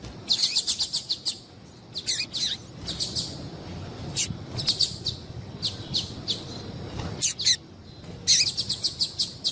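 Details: Yellow-bellied seedeater female calling to attract males; bursts of rapid, piercing high chips come in clusters separated by short pauses throughout.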